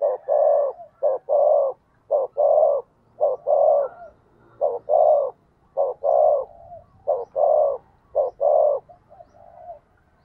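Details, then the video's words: Decoy spotted dove used to provoke other doves to coo: low hollow coos in pairs and groups, repeated steadily through the recording. "tiếng cu gáy mồi thúc gù/ chim cu gáy mồi kích bổi mới"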